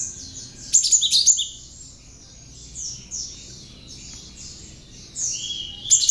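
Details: Tame Java sparrow, hand-raised, in full song with Bar-winged Prinia mimicry, meant as a master song for other songbirds to learn: a quick cluster of sharp high chirps, then several seconds of soft, high, warbling twitters, ending in a fresh chirping burst.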